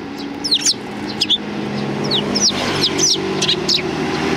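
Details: Several sparrows coming to be fed on the front approach of a Tenmangu shrine, 29 May 2020: sharp, high, downward-sweeping chirps, about nine of them at uneven intervals, some in quick pairs, over a steady low rumble of traffic.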